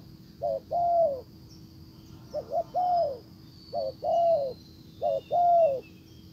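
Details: Low soft cooing of a spotted dove used as a decoy to lure a wild one; four phrases of a short paired note and a long downward coo, faint high hum and chirps behind.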